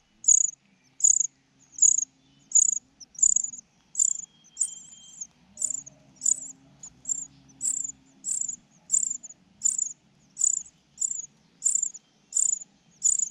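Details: Cuckoo chick with a large, bright red gape, fed by its foster mother bird. High, thin hissing notes repeat steadily about every 0.7 seconds, with a faint low hum beneath.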